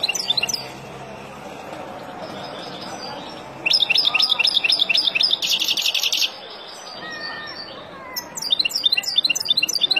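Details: Wild European goldfinch song meant for teaching young birds. Bursts of bright, rapid twittering alternate with quieter stretches, including a dense, buzzy trill around the middle and liquid chattering phrases at the start and end.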